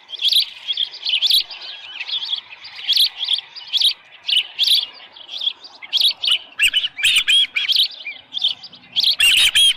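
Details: At Dunrovin Ranch, an osprey calls from its nest on a July 2018 morning, about 6:52, with a headless fish. Steady run of shrill, whistled chirps about two per second, becoming louder and denser near the end.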